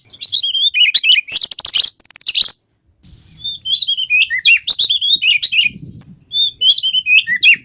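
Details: Energetic Oriental magpie-robin song for coaxing a lazy bird to sing: opens with fast rattling buzzy trills, breaks off, then returns with clear whistled phrases of rising and falling notes, faint low hum in places.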